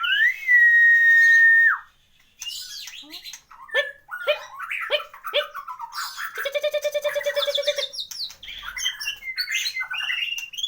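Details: Caged white-rumped shama, a champion-grade bird with a full varied repertoire, opens with a long steady whistle, then pours out sharp downslurred notes and a fast buzzy rattling trill of repeated elements.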